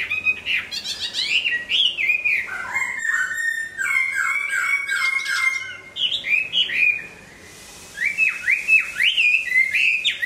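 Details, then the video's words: Moulting hwamei in full song, pouring out rapid varied whistles, sharp upslurs and downward swoops, a brief pause before another run of jerky, rising notes. "Hoạ mi hót khi đang thay lông"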